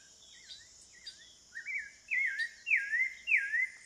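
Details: Wild spectacled thrush in the Amazon forest of Serra do Navio, Amapá, Brazil, singing soft wavering whistles that build into louder looping, caroling phrases repeated roughly every half second, with constant shrill insect drone behind.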